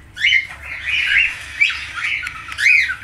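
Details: Budgerigar, the Falk variety, giving a lively chattering warble: squawky, scratchy notes run together in bursts of rising and falling chirps, with short breaks between phrases and a soft low hum beneath.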